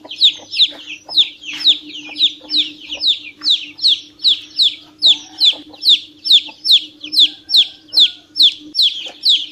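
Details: Chicken chick peeping insistently: loud, high, downward-sliding peeps repeated about twice a second in a steady run, over a faint constant low hum.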